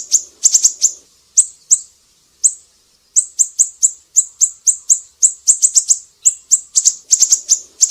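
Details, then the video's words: High, thin chirps from a siri-siri in full song, used to tutor other songbirds. Clustered bursts open the clip, then a short pause, then a dense, rapid series of sharp notes with occasional doubled and tripled ticks. "Masteran burung siri-siri GACOR"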